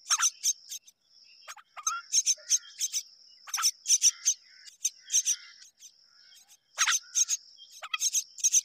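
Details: Both mynas tending their babies. Clusters of sharp, scratchy chirps alternate with brief lulls, with some lower grating notes among them and a steady high-pitched whine underneath throughout.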